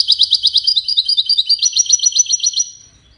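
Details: European goldfinch of the Wiidani type pours out fast, high, bubbling twitters in a continuous stream of about two and a half seconds, closing with a fading trill.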